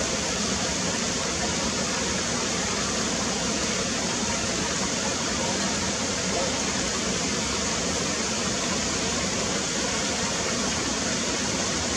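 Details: Steady rushing water fills the whole clip, with no animal calls standing out.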